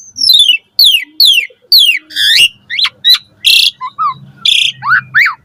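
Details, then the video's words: Morning song of an energetic Asian pied starling, full of varied fill notes, used to tutor caged starlings: four loud descending whistled sweeps, then harsh rasping bursts mixed with rising and falling whistles. "Pancingan Jalak Suren Gacor Pagi Hari Ampuh Buat Masteran Burung Jalak Agar Gacor Full Isian Mewah"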